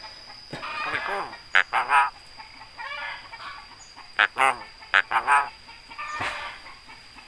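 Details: Javan myna, a trained bird known for its very loud voice and for imitating human sounds such as greetings and coughing, giving loud harsh bursts with hoarse harmonic, speech-like notes in irregular clusters, with quiet pauses between.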